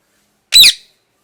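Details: A single loud, harsh parrot screech, short and rasping, with no other sound around it.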